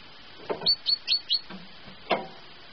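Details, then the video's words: A pet great tit sings at 6 a.m.: four quick, high, thin whistled notes at about five per second, with a few dull knocks before and after. "Пение большой синицы: песня пятая"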